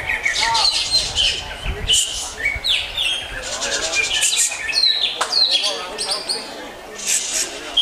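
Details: Kept greater green leafbird pouring out a rich, varied song of fast chattering trills, squeaky whistles and abrupt sweeping notes with brief pauses, busy and high-pitched throughout.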